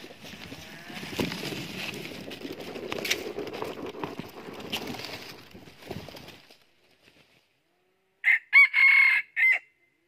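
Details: Red junglefowl crowing at a wild-junglefowl trap set with a decoy bird, a stammering voice: a short, clipped crow of about four rapid, raspy bursts near the end, after several seconds of rustling and brushing noise.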